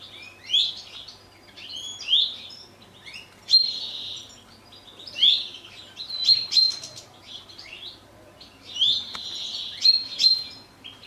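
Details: Captive common chaffinches in courtship and breeding condition in 2023, one male shared by two females: short bright twittering bursts, each with a thin whistled note, repeated roughly every one and a half seconds with quiet pauses between.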